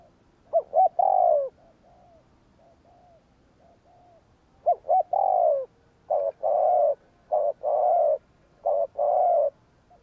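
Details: Repeated 'gù kích' cooing from a spotted dove meant to stir wild doves: about six low phrases, each of short stuttering hoots running into a longer, gently descending coo, with soft murmurs in between.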